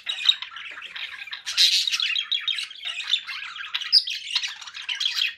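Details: Continuous harsh chatter of conures, rasping squawks overlapping one another with a louder outburst near the start.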